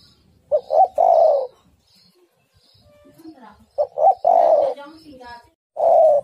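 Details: Female spotted dove calling to the male, a lure call; a few low coos in short bursts separated by quiet gaps, with faint rustling and a brief low murmur.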